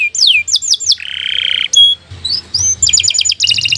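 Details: Canary, kept as a master tutor bird, singing a long, varied song: repeated down-slurred whistles, a buzzy nasal stretch, then quick trilled phrases.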